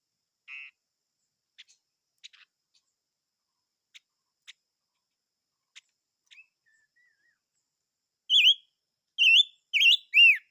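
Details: Silver-eared mesia: scattered faint clicks and a brief buzzy note, then four loud, downward-swooping whistled notes at the end.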